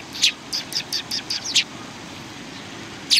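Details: Sparrows, including a pair, give a quick series of six or seven sharp high chirps within about a second and a half, then a pause before another loud chirp, against a low background hum.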